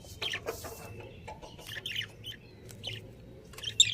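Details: Breeding pair of budgerigars kept at home, producing scratchy, buzzy chirps in quick, irregular bursts with a few thin whistled notes.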